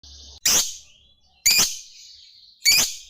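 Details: Lovebird giving three loud, harsh, high-pitched shrieks spaced about a second apart, each a brief broadband burst followed by a fading tail, with quiet gaps between them.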